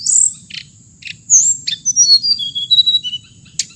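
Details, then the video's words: Song of the hồng hạnh bird: a few sharp chips, then a falling series of short clear whistled notes stepping lower in pitch, over a steady thin high background tone. "suab noog txiv leev lau2 tiếng chim hồng hạnh"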